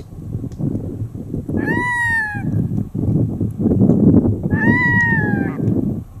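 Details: Wild red-throated loon on a river below a mountain in Chukotka, screaming in a peculiar way: two drawn-out, nasal, slightly falling wails about three seconds apart, over steady low rumbling river and engine-like noise.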